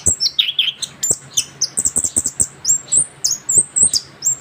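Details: Young orange-headed thrush just out of moult rolls through a continuous ngerol song of very high thin whistles and squeaks, repeated sharp slurred notes, with faint low clicks in the background.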